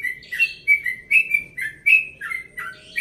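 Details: Caged yellow-vented bulbul, about one and a half years old, from Bekasi, in a calm dawn song: fast bubbly warbled notes that dip and rise, several per second, with a low hum in the background.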